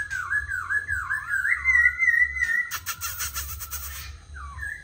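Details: A tame Black laughingthrush (Melanocichla lugubris) sings and dances on a table, giving a long, wavering whistled phrase that slides up and down, then a short burst of harsh, rattling clatter and a brief closing whistle over a low hum.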